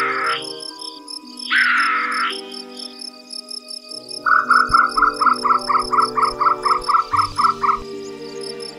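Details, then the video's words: Sri Lanka frogmouth in the Sahyadri forest, Western Ghats, calling as darkness falls in the evening: two harsh, grating bursts, then a rapid run of about a dozen clipped notes, roughly three a second, over soft music and high insect trills. "मंडूकमुखीचे हे आवाज संध्याकाळी अंधार पडू लागला की कानावर पडतात"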